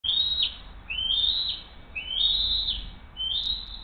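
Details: Bald eagles at the Hays nest on 20 June 2023 at 7:43 am, on a nest camera, as the mother delivers the day's second fish and feeds her eaglet: four thin, high, rising whistled calls, each slurred upward, about one per second.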